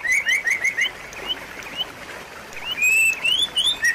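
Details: Shama song for coaxing a silent bird: a fast string of rising whistled notes, a quieter stretch, then loud, smooth slurred phrases.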